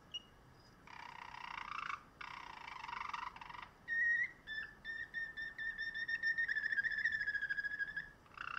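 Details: Song canary, bred for singing ability, begins with two harsh buzzy bursts, then pure whistled notes near one pitch with faint overtones, short at first and then run together into a fast rolling trill.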